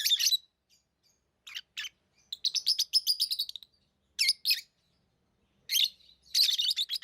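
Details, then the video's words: Tame lovebirds chirping: harsh, broadband high chirps in short bursts and a rapid run of repeated chirps near the middle, with scattered pauses between groups. "Love birds Sounds | lovebirds chirping sounds"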